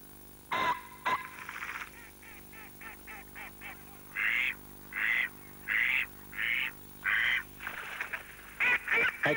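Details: A mallard gives its spring call in Finland during the spring snowmelt: a run of harsh, nasal quacks, short and rapid at first, then longer, evenly spaced quacks roughly every three-quarters of a second.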